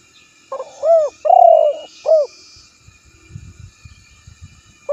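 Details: Spotted dove phrase of short hooked notes, an arched coo, a long rich coo and a final clipped note, followed by soft low rustling or thumping sounds.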